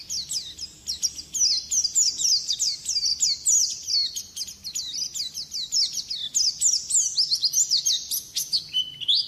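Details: White-eye (pleci) training song: long, unbroken high twitter of quick descending whistled notes and crisp chips, evenly paced and chattering with little variation in loudness.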